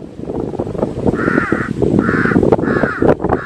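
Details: Three drawn-out, hoarse caws from a crow, each lasting about half a second, with a heavy low rumble running underneath.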